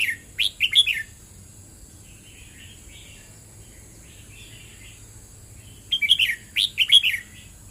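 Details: A red-whiskered bulbul gives a short burst of rich, rolling whistles, then falls to faint background twitters before a second, longer warbled phrase closes the passage.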